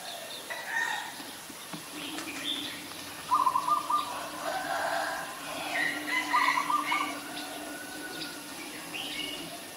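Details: Ashy Woodswallow in Ubon Ratchathani, Thailand, on 20 October 2021, giving short bursts of harsh, buzzy chattering notes in two louder bouts a few seconds apart, over softer twittering from other birds and a steady background hum.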